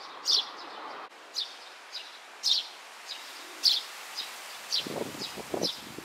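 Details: A young Oriental greenfinch foraging for food in grass gives short, thin, high calls about once a second, with soft rustling toward the end.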